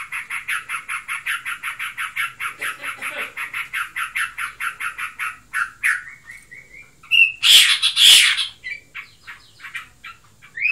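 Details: Aroused pet yellow-vented bulbul in ngebren mode: a fast run of rasping repeated notes, then the rhythm breaks into clear slurred whistles and two loud, sharp bursts near the end.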